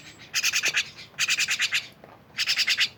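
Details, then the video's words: Three harsh, scratchy myna rattles, each a quick run of five or six pulses, separated by short silences. "rame bersama burung jalak"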